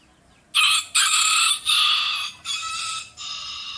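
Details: Rooster giving a funny-voiced crow: a loud, harsh, broken call in five segments over about three seconds, the later ones slightly softer, with little background noise.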